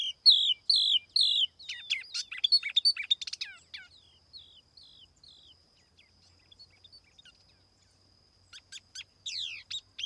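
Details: Lure tiểu mi laughingthrush opening with loud repeated whistled phrases and chatter, falling to soft scattered notes, then resuming with sharp high notes near the end; otherwise quiet.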